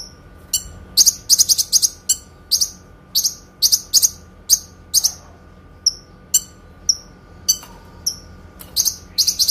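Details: Kinoi singing long, clear phrases meant for tutoring caged songbirds: clusters of quick high chirps alternate with single sharp piping notes, repeated steadily throughout with barely any background noise.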